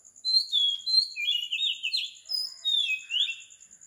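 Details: Early-morning Oriental magpie-robin song recorded at 4 am on Sri Lanka: short sweet whistles followed by warbled, twisting notes and bright upslurs. A fine, rapid insect pulse runs continuously behind the bird.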